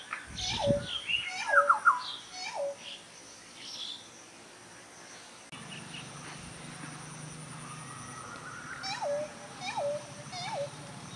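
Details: Pheasant-tailed jacana breeding song: short nasal mewing notes that drop sharply in pitch, several given in quick succession near the start and again toward the end, with other birds chirping and a steady low hum in the middle.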